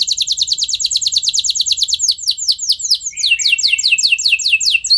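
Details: Stimulating song of a canary for prompting other canaries to join in long rolls. A very fast, high trill turns midway into slower, louder downward-swept notes repeated several times a second.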